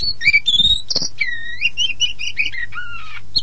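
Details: Oriental magpie-robin, poci variety, lure song for young or silent birds; smooth drawn-out whistles, several rising and falling, in a steady run with one low sliding note near the end.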